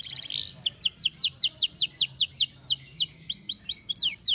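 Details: Loud song from a canary in excessive breeding condition (over birahi): a brief buzzy opening followed by a quick string of clear, downward-sweeping whistled notes repeated several times per second.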